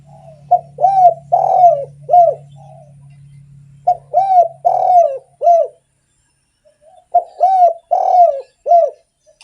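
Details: Spotted dove in active song, a lure for other doves: three repeated phrases, each of short coos, a long rolling middle coo and a final note, roughly every three seconds, with a low hum early on.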